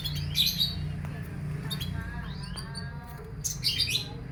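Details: Morning sunning of a canary, held outside between 8 and 10 am; bursts of bright chirps and upward-sliding whistles, some faint descending tones in the middle, against a constant low droning background.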